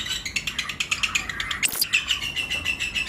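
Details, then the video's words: Shrill, rapidly pulsed chirps from lovebird pairs in a breeding-season flight colony, roughly evenly spaced and overlapping, with one brief sweeping swish midway. "Lovebirds Chirping Sound"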